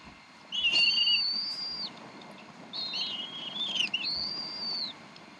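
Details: Decorah bald eagles at their nest around 7:50 pm CDT on April 26, 2012, mother feeding the eaglets; two long, high, level whistled phrases with slight dips at the ends, separated by about a second of quiet.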